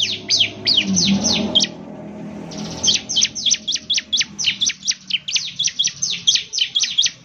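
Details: Bar-winged prinia singing energetically: after a short stretch of low muffled noise, a steady series of sharp, high downslurred chirps at about three to four per second.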